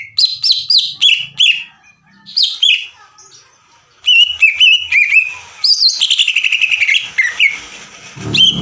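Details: Greater green leafbird training recording intended to stir other leafbirds to sing: clear whistled notes and slurs, a pause, then fast rattling trills and descending chatter, with a low thump near the end.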